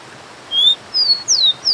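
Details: Start of a rufous-collared sparrow song, a level whistle, a higher flat note and two downslurred whistles, cut short, over steady rushing water.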